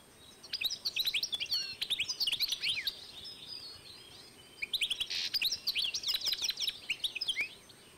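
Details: European goldfinch and canary cross, 2012, with two long phrases of dense, liquid high twittering and a short buzz, separated by a quieter gap.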